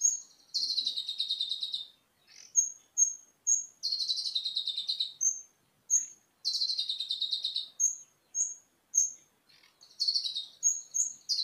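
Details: Olive-backed sunbird singing cililin-style song material, recorded as a master recording for training cage birds; buzzy trills about a second and a half long alternate with short, high, clear whistled notes, several times over.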